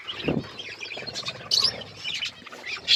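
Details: A mixed-colour budgerigar group with chicks growing twitters in a busy, overlapping jumble; there is a low thump near the start and sharper high chirps toward the end.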